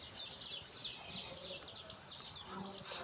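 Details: A mother hen calls her playing chicks to go for a walk. Rapid, shrill chick peeps overlap continuously, short rising and falling notes at about three a second, over faint low clucking and steady outdoor hiss.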